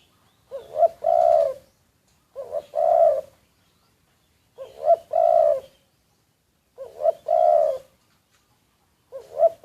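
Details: Covertly recorded decoy spotted dove cooing steadily: five low, mellow phrases of two quick hoots and a prolonged coo, repeated about every two seconds with silence between.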